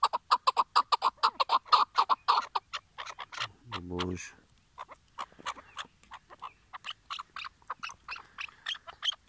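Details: Decoy Chukar partridge, tethered for a trap hunt in Şırnak, Turkey, delivers rapid loud chucking, then a brief low rumbling noise, followed by looser, quieter clucks.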